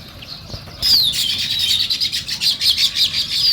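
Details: Sparrows chirping in the morning: after a faint opening, a dense, steady stream of high chirps begins, with a clear gliding whistle-like note dropping then rising over the chatter.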